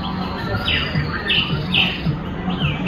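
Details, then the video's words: Song thrush singing in Tashkent on 22 February 2022: clear, high notes that slide downward, repeated about every half second, over a steady low hum and background rumble. "Певчий дрозд.Сайроқи шақ шақ .Turdus Philomelos"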